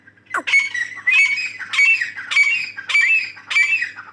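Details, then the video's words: Female grey francolin, known locally as Dakhni teetar, giving loud harsh squawking calls in a steady series, each burst ending in a rising whistled note, about one every half second to second. "Dakhni Teetar Awaz | Female Teetar voice"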